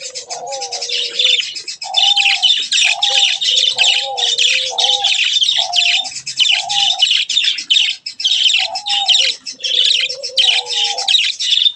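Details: Hand-tame budgerigars, including chicks, chatter in a constant high, scratchy warble of rapid chirps and clicks.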